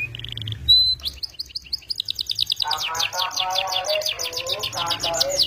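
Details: Canary in full gacor song with melodious cengkok: a few clear whistled notes, then a fast roll of sharp repeated high notes, soon joined by a lower rapid warbling trill running beneath it.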